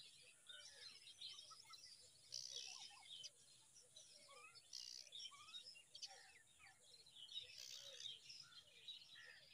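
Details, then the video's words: Five myna chicks begging while a parent feeds them date fruit: harsh, buzzy bursts recurring every couple of seconds, mixed with many short high chirps and thin rising notes, all fairly faint. "Beautiful Myna feeding date fruit to little five babies"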